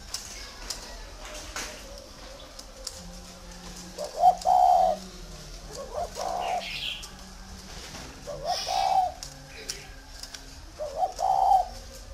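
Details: Spotted dove, a big bird used to visitors, kept at a farm in Ba Vì, Vietnam, cooing four separate soft phrases spread through the recording, each a hiccuping start and a rounded rolling end, with small chirps in the background.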